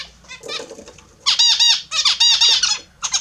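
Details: Pet Australian zebra finches bathing in the morning give a quiet start, then a dense run of loud, nasal, arching honks stacked with harmonics, several birds overlapping.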